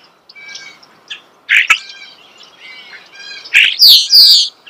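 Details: Up close in nature, a starling gives soft chattering notes, then a sharp burst and a loud run of squeaky, whistled slurs.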